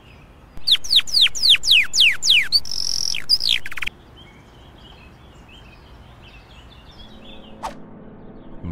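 A canary sings a quick run of bright, falling whistles ending in a buzzy trill.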